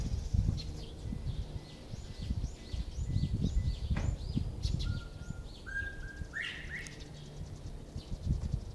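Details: Northern bobwhite calling: a quick run of high arched chirps, then clear whistled notes that rise and grow louder near the end, over heavy low rumbling background noise.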